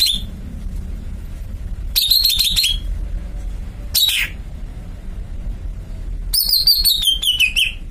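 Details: A caged greater green leafbird sings in three bright, high bursts of rapid chattering notes, the last sliding downward, over a low background rumble.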